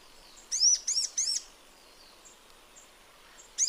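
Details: Sunbird in natural habitat delivering three rapid, very high, ringing chirps in a tight burst, then quiet soft ticks before another chirp begins.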